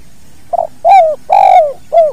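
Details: Spotted dove giving its two-note kuk call, recorded naturally for training other birds: a brief soft note followed by three full, hollow coos, each swelling then sliding down, spaced about half a second apart.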